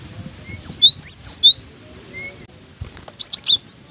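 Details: Cinereous tit singing on through strong wind: a quick run of five high, clipped whistled notes, a short pause, then three more, with wind rumbling low beneath.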